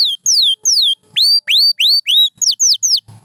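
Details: Pure white canary uttering loud clear whistles: long downward slides first, then rising curved notes, then quicker falling notes, each separated by short silences.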